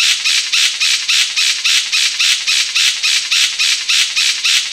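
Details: King of Saxony bird-of-paradise giving a loud, harsh, hissing buzz in rapid pulses, about three and a half per second, steady and unbroken throughout, like crackling static.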